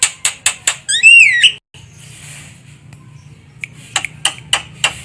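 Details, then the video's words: Javan myna call used to lure birds for trapping: sharp clicks, then a loud wavering squealing phrase, a pause with faint background, and more clicks. "Suara burung jalak kebo untuk pikat"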